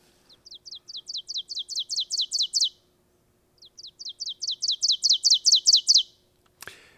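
Two ovenbird songs of rapid, ringing two-note phrases, 'teacher teacher teacher', each building louder over about three seconds; a faint hum and a closing click.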